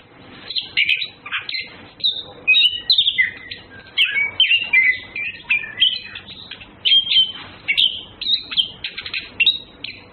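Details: Flirting male and female orange-headed thrushes sing a long continuous medley of clear whistles, fast chirps and sliding notes, with phrases tumbling one after another and very short breaks.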